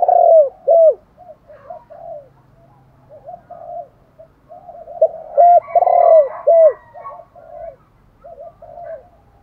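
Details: Spotted dove giving a luring call: repeated hooked coos in quick pairs, loud at the start and middle, with softer murmured notes between and a faint higher tone.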